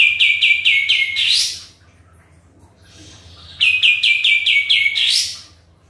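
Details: Two matching phrases from an actively singing sooty-headed bulbul, used as a lure: five or six fast descending notes rolling into a bright upward-swept flourish, separated by a silent gap of about two seconds.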